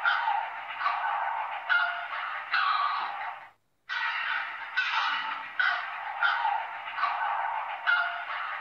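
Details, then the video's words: A heron gives harsh, grating squawks, repeated roughly every second in a steady series, broken once by a brief silence. "Som de Garça - Barulho de Garça - Canto de Garça"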